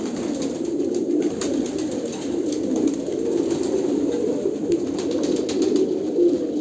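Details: Continuous overlapping coos from many Kolkata pigeons, a low burbling hum that holds steady throughout, with a few sharp taps in the background.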